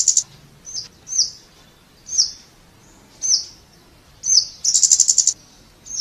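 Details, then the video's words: A Scarlet-backed flowerpecker gives thin, very high, sharp notes about once a second, with one quick rattling trill near the end, against a quiet background. "เสียงนกชมพูสวน Scarlet-Backed Flowerpecker Sound"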